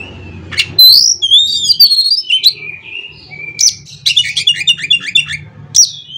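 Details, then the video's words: Oriental magpie-robin in full song to prompt other magpie-robins into singing, with sharp whistles, descending slurred notes, then a rapid stuttering chatter of rising notes and a final bright whistle. "CUKUP DENGAN SUARA KACER INI, KACER LAIN JADI GACOR"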